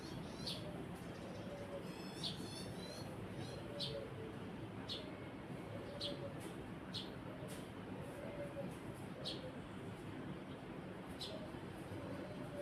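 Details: Sparrow giving scattered sharp chirps, a few quick trilled notes among them, at irregular intervals of about a second, against constant low mechanical hum and faint background noise.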